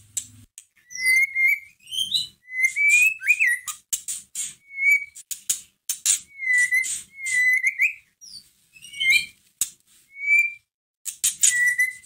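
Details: Song of a caged white-rumped shama meant to rouse another shama to sing: clear whistled notes, some flat and some rising, alternating with sharp clicks and harsh high rasps over twelve seconds.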